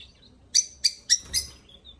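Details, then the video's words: Four quick, piercing lovebird chirps in a row, each short and squeaky, roughly a quarter second apart, with soft thin tweets before and after. "Love Birds Singing"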